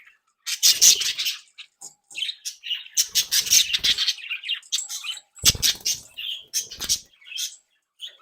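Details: Active, playful home-bred budgerigars give harsh squawks and scratchy chatter in loud bursts, with wing flaps and knocks from the cage.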